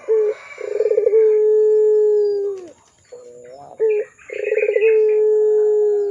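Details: Vocal pelung-style Barbary dove used as a lure for young birds. Stuttering pulses swell into long, even, low hoots that drop at the tail, with short broken notes between them and a faint background chirping.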